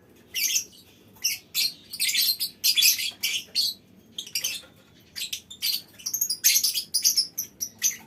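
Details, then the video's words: Lovebirds in a colony calling together, a dense chatter of shrill, harsh high chirps and squawks in bursts of varying length, some stretched into long rattling trills, with short quiet gaps between. "Suara Lovebird Koloni Bikin Burung Lain Ikut Ngekek Panjang"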